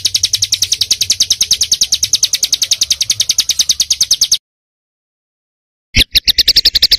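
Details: Small songbird in a training recording for caged birds, dense 'jrojos' song: a rapid, steady high trill of sharp notes, about three per second-fraction, breaking into silence, then resuming in short bursts.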